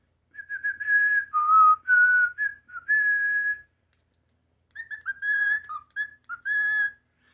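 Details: Cockatiel learning to whistle the Final Fantasy victory theme: a copied melody in clear, pure notes, sliding between pitches in two short phrases.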